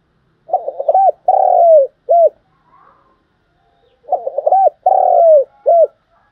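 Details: Spotted dove decoy bird giving a calling coo used to provoke wild doves and train decoys: two phrases about 3.5 seconds apart, each a rough stuttering opening, short hooked notes, a long falling coo and a brief final note; faint murmur between.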